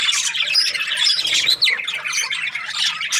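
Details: Budgerigars chirping: short burst of raspy squawks and fast, high-pitched twitters crowded together, one downward-sliding squeak standing out near the middle.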